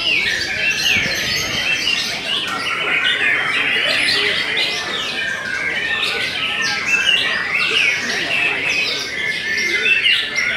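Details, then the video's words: White-rumped shama of the Belanda type, described as steady, singing a continuous rush of bright whistled and chattering phrases, mostly high-pitched, with quick notes overlapping without a break. "TOP CERR🔥 Murai Batu BELANDA Memang TOP - Masih Stabil"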